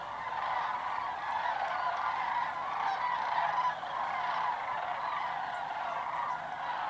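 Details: A migrating flock of sandhill cranes circles low overhead on the route south to winter grounds through Tennessee and Georgia. Many birds give rattling, bugling calls together, forming a continuous layered chorus that swells slightly midway.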